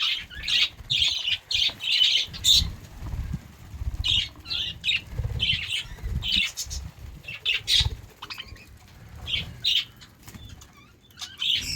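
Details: Pet budgerigars in their morning routine chirp in bursts of high, scratchy twitters, with wing flutters and low thumps between.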